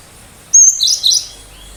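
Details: Cinereous tit singing energetically in sharp 'tembakan tajam' style that draws other birds to answer; one bright high whistle slides into a dense, twittering burst lasting about half a second, then quiet hiss.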